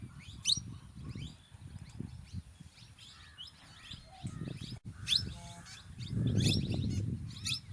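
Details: Plum-headed parakeets, male and female, chattering in rapid, irregular, high, sharp chirps, roughly three to four per second, with bursts of low rumbling noise between them.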